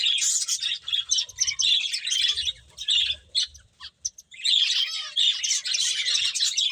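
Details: Finches eating and chirping: busy bursts of high, scratchy tweets, a short near-silent lull before the fourth second, then the chattering flock resumes.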